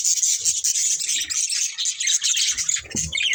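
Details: Budgerigars, a breeding pair, keeping up a continuous stream of thin, high, buzzy chatter with scattered squeaks and light low knocks.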